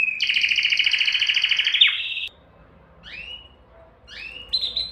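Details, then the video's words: ['Canary mating-stimulation song. The clip opens with a loud two-second rapid rolling trill, then a quiet gap, followed by a few soft rising whistled notes and one final sharp phrase.'] "تغريد كناري لتهييج الذكور والاناث"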